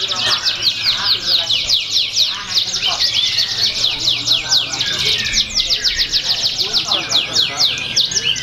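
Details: Canary competing at a Pringsewu bird-song event in Indonesia, 22 September 2019. Its long, bright song is made of high rolling trills and rapid descending chirps, pulsing in rhythmic bursts, over low crowd chatter.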